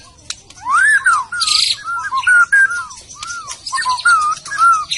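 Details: White-rumped shama from Medan singing clear, melodious whistled phrases, arched notes rising and falling, repeated in short varied units with a few high buzzy notes between.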